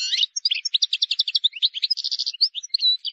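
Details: A wild goldfinch delivers a rapid, unbroken stream of bright twittering notes and short buzzy trills, sung as a faultless model for young birds to learn.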